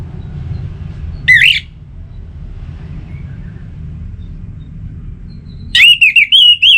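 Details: Orange-headed thrush song meant to set kept birds singing: a single looping whistled note, a long quiet stretch of low rumble, then a lively burst of five wavering whistles.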